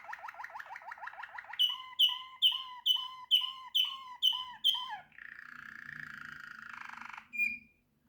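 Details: Waterslager canary song opening with a fast series of rising chirps, then a slower run of loud, ringing, bell-like notes repeated about three times a second, and finally a buzzy, rattling trill and a closing high note.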